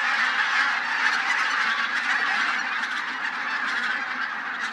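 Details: Pre-dawn mass of more than a thousand bean and white-fronted geese lifting off at Teichland Linum in Brandenburg in winter. Loud, continuous chorus of countless overlapping nasal honks, fading slightly toward the end.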